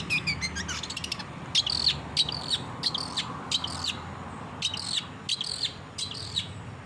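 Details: Long-tailed shrike in lively song, used as a training recording for caged birds: a rapid stuttering burst of high ticking notes, then bright chirps and harsh buzzy phrases repeated about three times a second over a low steady hum.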